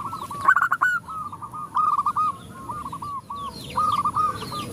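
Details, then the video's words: Zebra doves, a female calling males while others respond: a stuttered burst of cooing notes followed by several shorter runs of coos from more than one bird, faint chirping birds in the background. "Perkutut betina memanggil jantan bikin semua perkutut ikut bunyi"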